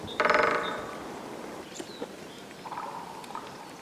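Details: Grey-headed woodpecker in Titovsky pine forest, Belgorod region, Russia, where a male and female take turns coming down to lard in the courtship season. A loud, harsh nasal chatter opens and quickly fades, followed later by a fainter, softer chattering series.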